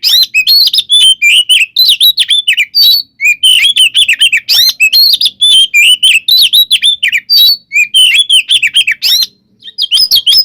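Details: Oriental magpie-robin in full fighting song meant to provoke rivals: continuous, rapid medley of bright whistles, upslurs and scratchy chatter, nearly unbroken for ten seconds with one short gap near the end.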